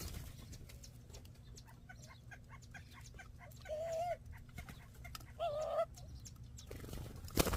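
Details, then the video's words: Dove near a bird feeder in the desert around Ajo, Arizona, uttering two short, level, hollow coos about a second and a half apart over a background of soft clicks and ticking, ending with a sharp knock. "This is What It Sounds Like When The Doves Cry?"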